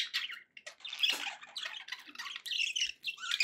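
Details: Domestic budgerigars give a quieter, scratchy chattering warble of mixed squawks and chirps with irregular loud bursts.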